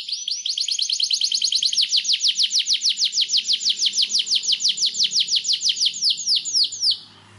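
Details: White canary singing, offered as a training song: a long rolling trill of rapid, high downward-swept notes, about three per second, slowing and spreading out toward the end before stopping, with a faint low hum underneath.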